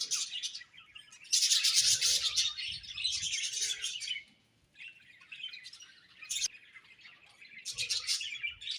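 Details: Several budgies chirp and warble in loud, busy bursts of high scratchy notes, with a near-silent gap midway before the chattering resumes more softly and then swells again.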